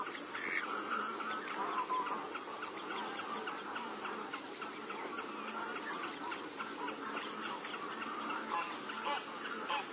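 Garganey calling amid a dense chorus of ducks and geese, with overlapping nasal quacks and honks throughout.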